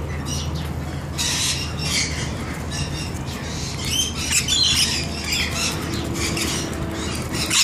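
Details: Rainbow lorikeets bathing, a flock chattering with rapid screechy squawks and shrill notes throughout, over a low background hum.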